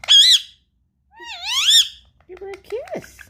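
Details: Pet parrot indoors, curious and wanting to play with a tablet: two loud, harsh, harmonic-rich squawks, the second rising then falling, followed by softer chattering, mumbled syllables and a gliding squeal.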